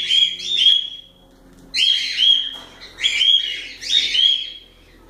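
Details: Cockatiels sing a pair of quick whistled-harsh notes, then go quiet for a moment. Three longer, louder clusters of rising and falling harmonic calls follow, and the background is clean.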